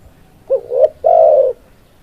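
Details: One spotted dove phrase: a quick rising, wavering note followed by a longer, louder coo that slides gently downward, in near silence.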